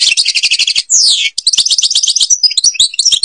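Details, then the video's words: European goldfinch singing in the Babas forest, Tiberli, Algeria: a fast, high, tinkling twitter of rapid chirps, one long downward-sweeping buzzy note in the middle, then more bright jingling trills. "canto jilguero argelia"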